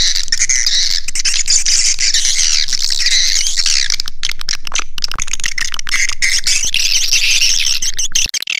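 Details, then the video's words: Swiftlet sound intended to bring swiftlets to a nesting house. Many high chirps overlap in a constant twittering chorus that thins slightly after the midpoint and cuts off at the very end. "Suara Panggil Walet"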